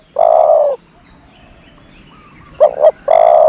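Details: Low, steady coo from a decoy dove used to lure doves, followed after a pause by a quick double note and another sustained coo.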